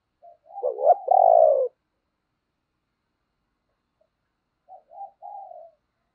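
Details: Spotted dove decoy calling to rouse others to coo: a loud burst of wavering coos ending in a long hollow note, then after a pause three softer, shorter coos.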